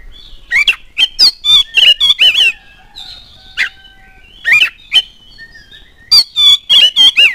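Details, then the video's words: Oriental magpie-robin song meant to provoke other birds to sing: rapid bursts of harsh, scratchy notes and sharp chirps, several per second, broken by softer whistled phrases and short pauses. "DALAM HITUNGAN DETIK KACER ANDA LANGSUNG NYAUT NGOBRA IKUT GACOR DENGAN PANCINGAN KACER GACOR INI"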